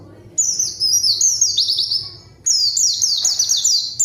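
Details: Lure song of a white-eye meant to draw an answering rival: two bursts of quick, high, downward-sweeping whistled notes run together, with faint low hum behind.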